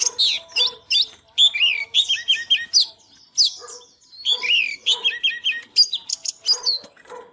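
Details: Oriental magpie-robin, fired up, singing and dancing: varied loud phrases of whistles, upslurs and descending notes in quick succession, with a few harsher notes and short pauses between groups.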